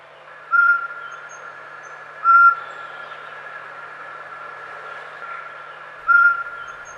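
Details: Male Eurasian pygmy owl giving its typical territorial call at spring dusk in old conifer-dominated forest in northern Slovakia, during the March courtship season: three short, clear, mid-pitched whistled toots a few seconds apart, over steady background hiss.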